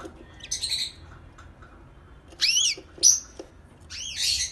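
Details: Canary giving short, high song fragments: a brief twitter, then separated swooping whistled notes and a final chattering burst, with quiet stretches between phrases.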